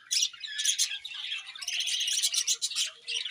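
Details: Budgerigars chirping during morning feeding: dense overlapping high chatter and squawky notes from several birds, nearly continuous with brief dips.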